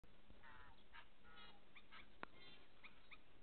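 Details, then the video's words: Two Tui showing aggression and singing in a bottlebrush tree at Okahukura Conservation Area, Tapora: short harmonic, warbled notes and bright chirps scattered through the clip, with one sharp click midway, over a steady low hiss. "Two tui singing in Tapora"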